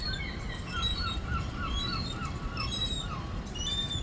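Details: Gull crying for food: a quick series of thin, whistled, downslurred notes, with fainter high calls from other birds above and a steady low rumble beneath throughout.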